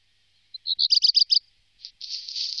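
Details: Black Redstart recorded in 2017: a few clear, high notes climb into a quick run of six pulsed notes. After a brief pause comes a dense, scratchy, crackling burst.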